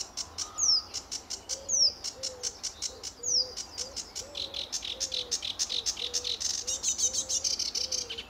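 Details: A lively Sedge Warbler sings on a sunny early morning in July 2013 at RSPB Fowlmere. It pours out a fast, scratchy chatter of dry ticking notes with a few thin, down-slurred whistles, while a lower, rounded note repeats steadily underneath.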